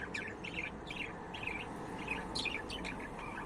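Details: Budgerigar chirping: short warbled chirps and twittering notes in loose bursts, with faint clicking over a steady low background hiss.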